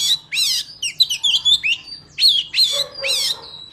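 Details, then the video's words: Wild forest-style song of an Oriental magpie-robin, recorded for trapping and coaching young birds: loud, rich whistled phrases with sharp downward sweeps and slightly buzzy notes, tumbling rapidly one after another above a steady low hum. "Chòe than hót giọng rừng cực phê | File đi bẫy ép giọng chim non"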